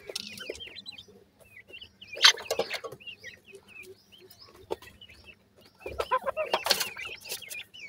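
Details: Clear high, quickly repeated cheeps from white francolin chicks while feeding, rising and dropping slightly, with bursts of rustling and clatter near the start, middle and end.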